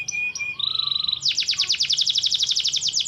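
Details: Parisian Frill canary sings several steady whistled notes, then breaks into a rapid, even trill of bright repeated chirps, about eight per second. Low background rumble throughout.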